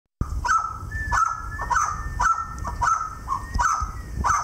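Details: Pet adolescent male Mountain quail, excited, at dawn, giving short, hoarse, mid-pitched calls roughly every half second in an uneven series, over a low rumbling background.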